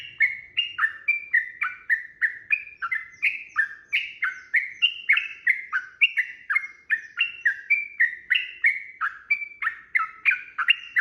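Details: Long, nonstop fighting-style song of a sooty-headed bulbul, used to bait birds into singing back: over thirty fluty, down-slurred notes, about three per second, sliding between higher and lower tones without a pause.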